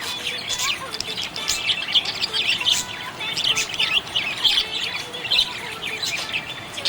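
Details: Contented budgies keep up a lively warbling chatter, quick high chirps and squeaky trills repeating in bursts over several seconds, several voices overlapping.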